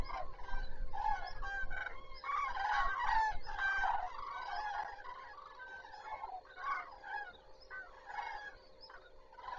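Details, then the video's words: A flock of common cranes at Zastawie reservoir, 14 September 2023, calling as the day begins; dense overlapping bugling chorus, loudest early, then thinning into separate trumpeted notes. "Żurawie zaczynają dzień"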